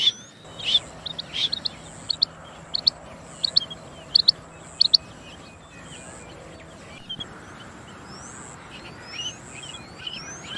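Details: Rain quail calling: sharp, high doubled notes, a quick two-part 'whit-whit', repeated about every 0.7 seconds for the first five seconds, then fading among thin rising whistles of other birds over a steady high buzzing background.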